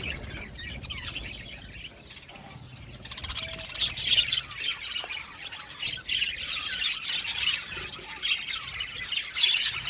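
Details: Budgerigars of an Australian budgie aviary colony singing and chirping together: a dense, continuous wash of squawky, buzzy chatter and scattered high chirps, quieter for the first few seconds, then louder and busier from about three seconds on.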